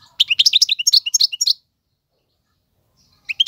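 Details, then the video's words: European goldfinch male, song meant for teaching chicks: a brisk phrase of bright, bouncing twittered notes lasting over a second, then quiet, and a few notes starting again at the end. "اقوى تغاريد الحسون, مقنين فحل لتعليم الفراخ"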